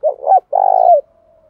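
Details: Spotted dove call used to lure and incite fights. A loud two-part coo is followed by a long, rough, trilling coo that trails off into a faint steady hum.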